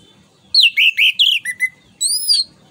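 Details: Orange-headed thrush song used to stimulate other songbirds: a rapid string of loud slurred whistles dropping in pitch, then a long high rising-and-falling whistle, over low hum.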